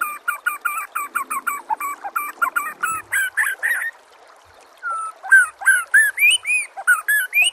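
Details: White-rumped shama song from a masteran training compilation for captive birds: rapid run of clipped, repeated two-note phrases, a pause, then loud upslurred and arched whistles with high overtones.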